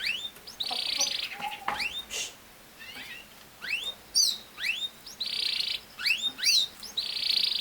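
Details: Canary giving short buzzy trills separated by pauses, with scattered rising and falling whistled notes and sharp chips between the trill bursts.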